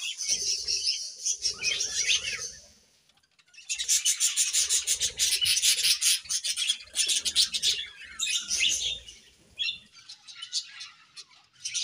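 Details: Morning budgerigar chirping in steady, raspy, rapidly pulsed bursts of warbling chatter, separated by a brief pause, with soft low rustles beneath.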